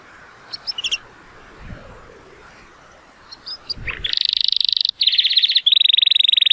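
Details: Timbrado Español canary, male born in 2018, scored 83 points, singing on a sunny day: a few soft chirps over a low background murmur, then loud rapid rolling trills begin in the second half.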